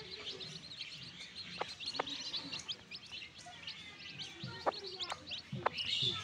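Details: Newborn chicks kept in a backyard, a steady chorus of thin, high cheeping notes in quick succession, broken by a few sharp clicks and knocks.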